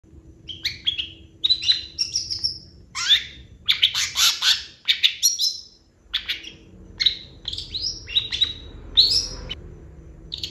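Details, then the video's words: Long-tailed shrike in full, active song packed with fill-in phrases: rapid bursts of sharp chirps and downslurred whistles, some harsh broadband notes, delivered in quick clusters with short pauses, over a faint low hum. "CENDET GACOR FULL ISIAN"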